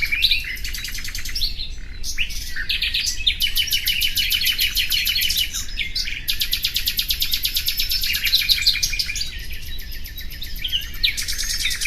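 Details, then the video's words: A common nightingale sings rich, varied phrases of rapid repeated clicks and trills, some long fast rattling runs and sharp whistled notes, with a low steady rumble underneath. "Bülbül sesi"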